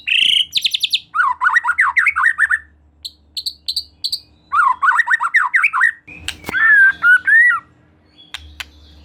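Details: White-rumped shama (murai batu) in varied song, used to prompt another shama to sing: buzzy high bursts, a low rolling warble, short high notes, the warble again, then a slurred whistled phrase over a brief rustle.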